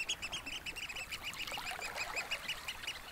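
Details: Eurasian oystercatchers squeaking on a Norfolk beach at Snettisham on a spring evening: sharp, high piping notes in quick succession amid a busy background of chattering birds and faint lapping water.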